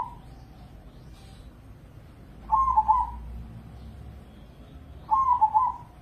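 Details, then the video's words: Crossbred zebra dove bred for Indonesian song contests repeats a short, rolling, bubbling coo phrase about every two and a half seconds; the tail of an earlier phrase opens, and a faint background hum continues. "Pancingan Pekutut Crossing Gacor Dorr"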